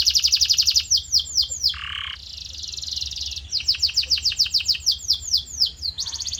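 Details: Canary tutor song meant to shape a kept bird's voice: quick high trill, downslurred notes, a brief lower nasal buzz, a rasping stretch, then a long run of falling whistles ending in a fast trill.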